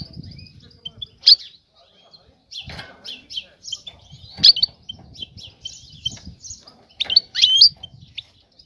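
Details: European goldfinch hen seeking a male for mating, repeating high metallic chirps and twitters in loose series, with louder sharp bursts at intervals and a faint low background.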